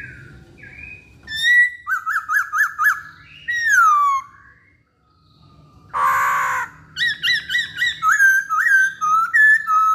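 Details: Chinese hwamei in energetic full song: bursts of rapid repeated whistled notes, a run of five quick rising-falling slurs, a long descending whistle, a harsh rich burst mid-clip, then fast repeated two-part whistles after a brief pause.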